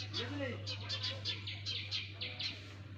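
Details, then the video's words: Sparrow babies in the nest chirp busily in fast high-pitched series, with a short human voice near the start and a continuous low hum. "Sparrows baby in nest! | Sparrows Sound Effect"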